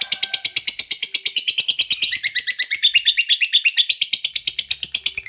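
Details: A lovebird's extended ngekek: a dense, machine-gun chatter of piercing high notes, steady at first, then rising and turning harsher toward the end, unbroken throughout.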